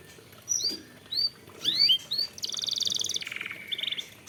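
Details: Canary song for luring caged birds to sing: a few spaced, thin rising whistles, then a long fast buzzy trill that drops to a lower rolling trill.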